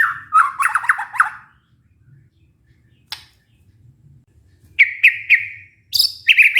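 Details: White-rumped shama lure song to restart singing in a stressed bird. A dense, fast jumble of notes, a silence, then several sharp, repeated whistled phrases with high overtones.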